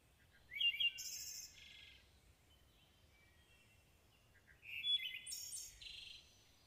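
Wood Thrush singing two flute-like phrases a few seconds apart, each opening with low liquid notes and ending in a high, shimmering trill.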